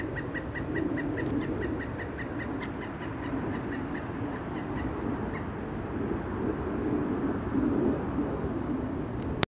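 A pileated woodpecker gives a quick run of ringing, evenly spaced kuk notes, about three or four a second, over a steady low rumble.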